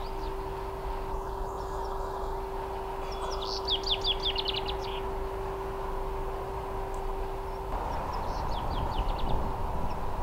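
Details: Common chaffinch (Fringilla coelebs) song: two short, quick descending runs of bright notes, spaced several seconds apart, over a steady low hum and rumbling traffic-like background noise.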